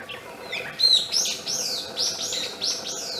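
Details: A northern goshawk nestling gives high, thin whistles that slur downward, about two each second, over a soft background hiss.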